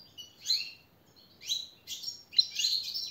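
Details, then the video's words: Training song for caged European goldfinch, here in four short separate bursts of bright, slurred chirps, each lasting under half a second, over faint background hiss. "jilguero el reclamo maestro y motivador"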